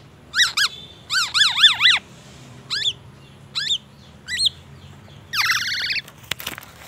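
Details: Black-naped oriole, a kepodang emas kept and trained with a full fill of white-rumped shama (murai batu) phrases. It sings clear fluty whistled notes in quick rising-falling slurs, including a rapid run of four, then spaced single notes and a harsher buzzy phrase to close.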